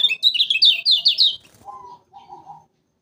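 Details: Lemon-bellied white-eye (kecial kuning) from Lombok, a bird often entered in song contests, used as a trapping lure: a quick run of high, chirpy notes rising and falling, then two lower, flat buzzy phrases.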